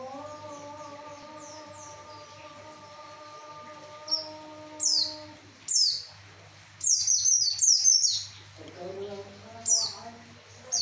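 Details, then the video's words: Javan white-eye song used to lure males: after a low humming voice, bright high chirps sweep downward, single at first, then in quick runs of three to four. "Pleci ampuh untuk memancing jantan cukup 5 menit pleci anda bunyi"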